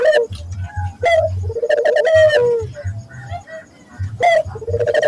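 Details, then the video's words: Barbary dove cooing used to coax local doves into singing: rolling low coos alternating with sharp bright call notes, over a continuous low pulsing hum. "pancingan burung puter gacor, melatih burung puter lokal agar cepat gacor"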